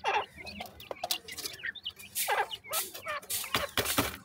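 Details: Female Grey francolin with five chicks at feeding time, calling in short, harsh, clucking notes that sweep down in pitch, given in bursts with brief gaps, mixed with thin high chirps from the chicks.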